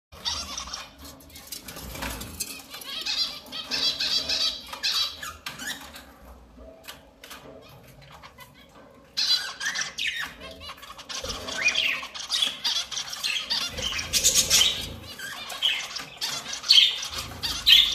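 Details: A breeding pair of budgerigars, with five eggs laid from 16 September 2019, chatter in a fast, squeaky, scratchy warble, with a brief lull before the chatter resumes.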